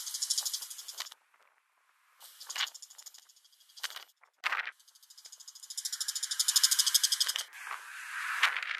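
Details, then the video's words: Bull-headed shrike, a resident bird in Korea, recorded in November 2023, gives harsh, grating rattles in bursts of one to two seconds: rapid pulses with short pauses and a longer chattering run near the end. "때까치 울음소리 Bull-headed Shrike"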